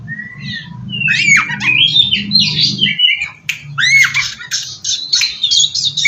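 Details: Oriental magpie-robin lure song: a plain whistle, then a rush of harsh squawks and sliding whistled notes over a low background hum, a short pause, and further buzzy, scratchy phrases.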